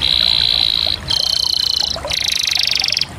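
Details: Three back-to-back canary trill phrases, high and buzzy, each lasting about a second, with brief gaps between them; the last is coarser and more rattling.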